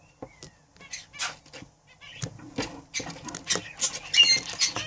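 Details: A breeding pair of budgerigars: sparse clicks and short high chirps at first, then rising into quick, scratchy warbled chatter with a few clear whistled notes.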